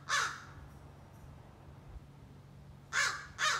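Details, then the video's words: A juvenile American crow rehearses its scolding and territorial calls, one rough caw at the start, then a pause of nearly three seconds before two more caws in quick succession. "Young Crow Practices Scolding and Territorial Calls"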